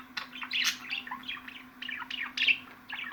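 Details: Budgerigar chatter: quick chirps and short rising and falling warbled notes, with a few louder squawky bursts, over a steady low hum.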